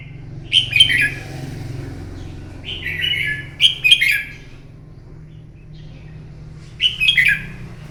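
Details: Fighting song of a red-whiskered bulbul in the morning, meant to train a bird: three bright warbled phrases spaced a few seconds apart, each a cluster of quick rising and falling notes, with low background hum.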